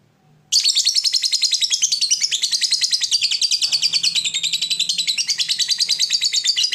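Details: Fighter lovebird bursting into a long ngekek trill that spurs rivals to sing: sudden onset of a loud, rapid, rattling high chatter sustained for six seconds with faint low hum behind.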